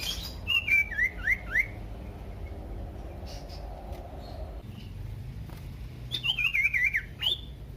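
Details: Common iora song played to trigger other ioras: a short burst of swooping whistled notes, several seconds of quiet background hum, then a fast wavering trill.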